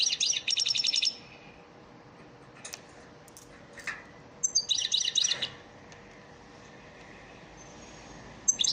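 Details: European goldfinch, a caged bird, heard in a training song: two bursts of fast, bright twittering about a second long, separated by quiet stretches with scattered faint clicks and a short final note.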